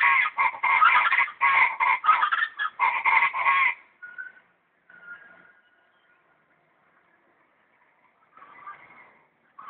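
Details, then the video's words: Guacharacas (chachalacas) calling in a loud, harsh, rhythmic chorus: grating two-toned notes repeated rapidly for about four seconds, then a few thin, quieter notes and a short raspy burst near the end amid near silence. "El Lenguaje de las Guacharacas"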